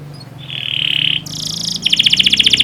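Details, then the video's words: Canary tutor song, played to get young canaries singing well: a held high whistled note, then a buzzy phrase, then a fast, bright rolling trill, over a low steady hum. "Masteran burung kenari paud biar gacor"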